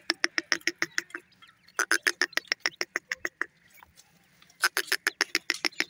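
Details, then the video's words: Grey francolin (teetar) chicks calling while feeding at night: quick runs of short, sharp chirping notes about four per second, pausing briefly between bursts, over a quiet background. "pheasant chicks are also called feed at night,lovely chicks teetar"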